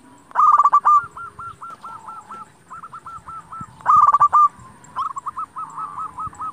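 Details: Vigorously singing local zebra dove, its song used to make rival doves answer: two loud bursts of rapid staccato cooing, each trailing into a long evenly repeated chain of softer hooked coos.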